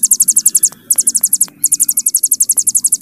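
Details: Rapid, high-pitched pulsed trill of a Hill prinia in 'bren' style, three quick bursts split by brief gaps, over a soft low hum.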